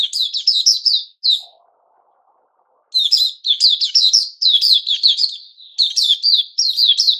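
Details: White-crowned shama, known locally as Puteh Raja, a kept bird in its new-feather season, recorded 6 September 2021; bursts of rapid high chattering notes, a pause with a faint low hum, then dense continuous warbled phrases.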